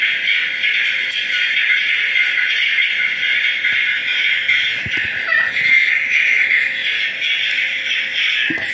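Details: Music plays indoors in a small room, with no clear animal calls.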